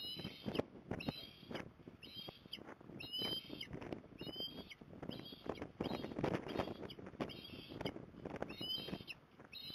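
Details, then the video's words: Mother osprey perched at Port Lincoln, Australia, 5 December 2020, calling her young back home: sharp, high whistled chirps with ringing overtones come in bursts every second or so, set against heavy buffeting wind. "Osprey ~ Mum With Magpie Perch Trying To Lure Dew Back Home"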